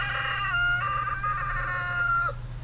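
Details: Rooster crowing, offered as a possible model for how dinosaurs sounded given their close relationship to chickens: one long harmonic-rich crow with a few stepped pitch changes, lasting about two seconds, over a steady low hum.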